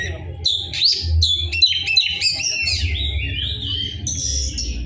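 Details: Caged Oriental magpie-robin singing loudly and harshly: a rapid run of varied whistled, rising and falling notes and squeaky phrases delivered nearly without pause, over a low background hum.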